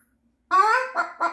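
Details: Pet cockatoo indoors on a busy afternoon with its household flock, giving one short, honking, clucking call with stacked harmonics, followed by two shorter nasal notes, all within about a second; a person's voice speaks to it right after.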